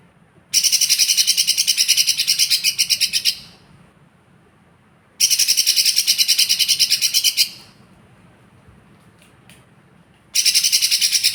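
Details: Lesser green leafbird, a small fighter bird, repeating high, rapid buzzy trills in bursts of about three seconds, separated by short silences.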